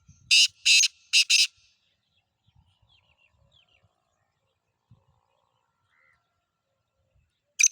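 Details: Black francolin, known locally as Kaala Teetar: four harsh broadband grating notes in a quick burst at the start, then near silence with faint scratches and one last harsh note at the end.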